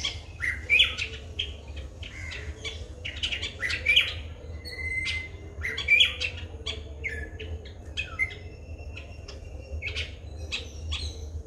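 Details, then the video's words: White-bellied drongo recorded in Sri Lanka on a Nikon COOLPIX P1000: clusters of harsh squawks and quick upslurred whistles every few seconds, mixed with thinner chirps and a few sustained tones, over low steady hum. "White-bellied drongo calls"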